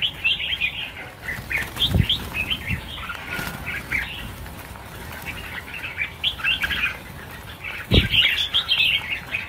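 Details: Red-whiskered bulbuls released in a group of 1000 birds chirp and warble over one another, punctuated by two loud wingbeat thumps.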